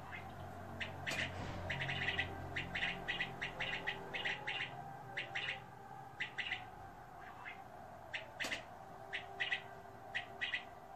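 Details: Brief clipped chirps from king quail, sometimes single and sometimes in quick pairs, about one per second over a constant background hum.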